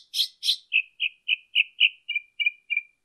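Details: Northern mockingbird song recorded in Colton, California, 23 March 2015: two harsh, wide-band notes followed by a run of about eight clear, evenly spaced chirps that gradually drop in pitch.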